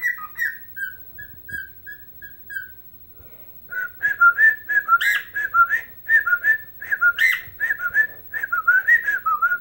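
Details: Dancing pet bird whistles its version of Chelsea Dagger, a Chicago Blackhawks anthem. A row of level whistled notes comes first, then after a short pause a dense, warbling run of rising and falling whistles.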